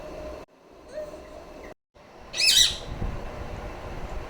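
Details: A single loud, rasping screech from a pet female rose-ringed parakeet, preceded by faint soft chirps and short gaps of silence.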